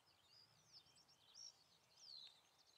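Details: A little ringed plover at de Gement on 17 May 2017 gives thin, high whistles: a short flat note, then a clear descending 'pee-oo', with faint chirping and outdoor ambience underneath.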